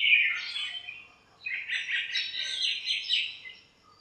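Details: Birds chattering in a backyard lemon tree on a cool, shiny morning; a burst of bright chirps, a brief pause, then a longer stretch of busy, overlapping twittering.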